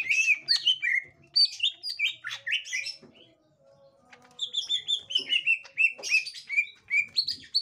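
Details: Gotri-type green leafbird reacting to a young wild green leafbird: a chattering flurry of bright whistles, a quiet pause, then a long string of repeated clear descending chirps with high squeaks.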